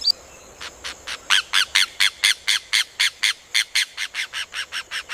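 Rufous hornero pouring out a loud, ringing series of about twenty harsh notes, roughly four per second, building in strength and then easing slightly.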